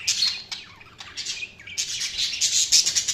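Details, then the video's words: Budgerigars chirping in a dense, continuous stream of high, scratchy twitters and short warbled notes, growing louder and busier in the second half. "Budgies Sounds| Budgies Chirping sound"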